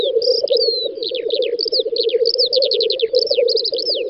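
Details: Lekking black grouse in a Volga-region field in spring, May 2019. A rolling, low bubbling chorus carries on throughout, while quick series of high, descending chirps and twitters from small songbirds repeat overhead.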